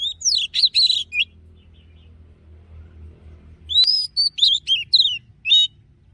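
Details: Wild-style song of an Oriental magpie-robin used for training: a burst of sweet, slurred whistles, a pause with only low hum, then a fresh run of bright, quickly varied whistled notes.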